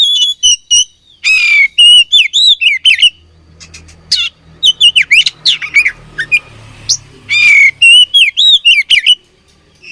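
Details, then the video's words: An oriental magpie-robin sings while fighting: dense, fast sequences of looping whistles and harsh chattering notes over about ten seconds, with faint low background rumble. "Beautiful Chirping Sound Of Fighting Birds"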